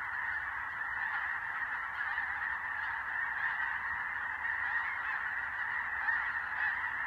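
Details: Snow geese of both snow and blue forms, seen on the ground and then migrating at dusk, clamour as a huge flock, countless high barking honks blending into one steady roar.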